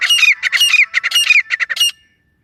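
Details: Female grey francolin, desi type, the call hunters use as a lure: harsh, squawky notes delivered in a fast, dense burst for about two seconds, each note rough and buzzy with a clear middle tone, then silence.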